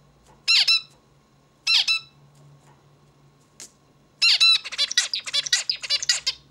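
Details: Zebra finch repeats a nasal, buzzy double note twice, then launches into a fast chattering sequence of short harsh notes and buzzes, recorded in a quiet room.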